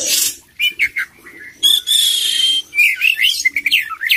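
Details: Poci Oriental magpie-robin in vigorous full-isian song. A hissing burst leads into short wavering notes, then a long bright sustained whistle and quick looping, warbled phrases.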